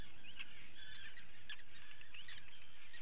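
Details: Common guillemot chicks being fed on 28 June 2020 give rapid, high, thin peeping whistles, several a second, overlapping from many birds, over a steady low rumble of wind and sea.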